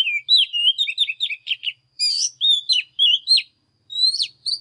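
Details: Oriental magpie-robin at full pitch of morning song: rapid rolling whistled notes, a harsher buzzy phrase, then clear upslurs and a final rising whistle after a pause.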